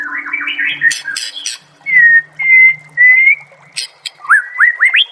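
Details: White-rumped shama singing a training master track with nature sounds and water: quick warbled notes, sharp clicking bursts, level clear whistles and a run of short upswept notes, over a faint low hum.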